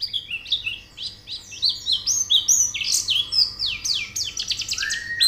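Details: White-eye (pleci) song for training birds to sing: a long, energetic stream of high warbling and chirping notes, about four per second, ending in a rising whistle.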